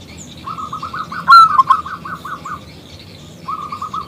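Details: Local zebra dove, big-voiced and clear, calling a male to sing. A quick string of rolling coos carries one loud bright phrase partway through. After a pause, a second short run of coos follows.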